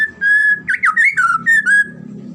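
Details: White-rumped shama (murai batu) in lively 'gacor' song, played for pancingan and masteran training: loud, clear whistled phrases, a steady tone followed by quick swooping up-and-down slurs and short notes, with faint low hum behind.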